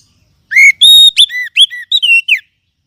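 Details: Oriental magpie-robin song used as a lure to prompt other kept birds to sing: a loud whistled phrase of rising and falling notes, a long steady whistle, then quick clear slurred notes, with no other sounds.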